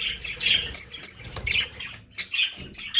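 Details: Pet budgerigars in their play area at home give short harsh squawks and chirps, separated by brief gaps, with faint low thumps.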